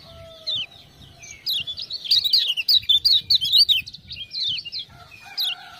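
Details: Kept Lemon-bellied white-eye (kecial kuning, Lombok) singing as a tutor bird after prompting with ciak-ciak sounds; a rushed run of high zigzag chirps in the middle, with lower steady whistles before and after.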